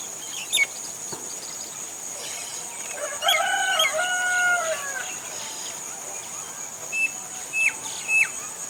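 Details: Indian common myna calling in various voices: a few sharp clicks, then a loud two-second harmonic, nasal, rippling phrase with wavering pitch, then scattered short chirps. A steady high insect whine runs throughout.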